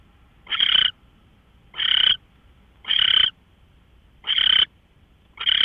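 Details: Owl recorded 24 March 2013 at 5:27 AM: five scratchy hissing bursts, each roughly a third of a second long, repeated about every 1.2 seconds against near silence.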